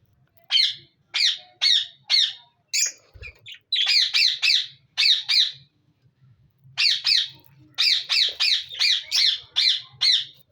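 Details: Harsh, repeated squawks from budgerigars in a breeding colony, spaced about half a second apart at first, then in denser clusters, with one pause before the final run.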